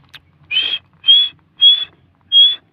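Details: Grey francolin, known locally as dakni teetar, from Taunsa, with chicks mentioned: four loud, clear whistled notes, each slightly rising and about a third of a second long, spaced roughly every 0.6 seconds against a quiet background.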